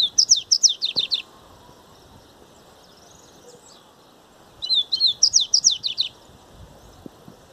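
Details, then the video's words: Yellow-bellied Seedeater singing two bursts, each just over a second of fast, high, twittering notes, with a few seconds of quiet between them. "COLEIRO BAIANO GREGO"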